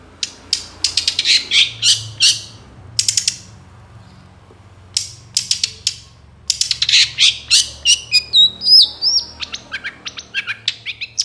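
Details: Long-tailed shrike, moulting, singing vigorously as bait to start captive shrikes singing: long strings of rapid, dry, rattling notes broken by brief pauses, with thin sliding whistles near the end.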